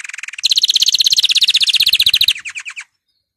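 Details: Canary song for encouraging canaries to sing. A fast, regular trill of about four notes a second, jumping higher after a low opening stretch, then slowing and fading to silence.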